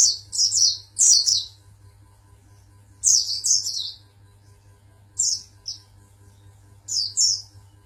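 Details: Pangandaran champion Oriental white-eye with high, thin twittering phrases of quick slurred chirps, grouped in bursts separated by short silences, over a steady low hum.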